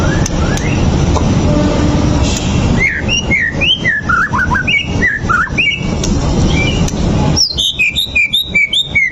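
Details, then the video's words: Lure song of a white-rumped shama meant to make another shama aggressive: varied rising and falling whistles tumble in a quick phrase, then after a pause a burst of high, sharp, clipped notes over steady low background noise. "PANCINGAN MURAI BATU AGAR EMOSI BONGKAR ISIAN!"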